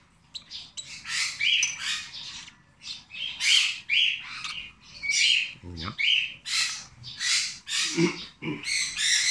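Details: Rosy-faced lovebird chick, 26 days old, being hand-fed: harsh, noisy squawking bursts repeated about once a second with brief pauses, a short low thump near the middle.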